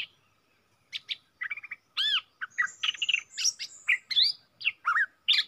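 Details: A bold wild red-whiskered bulbul answers a caged decoy bird: a rapid run of varied chirps, slurred whistles and rising-falling notes, loud and continuous with short gaps, other bird notes mixed in. Dated 5-6-64.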